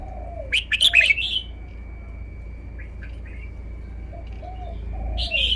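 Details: Song of a caged red-whiskered bulbul showing its song phrasing. A quick run of sharp chirping whistles comes first, then a quiet stretch with a steady faint tone and a few low mellow notes. A fresh chirp closes the phrase.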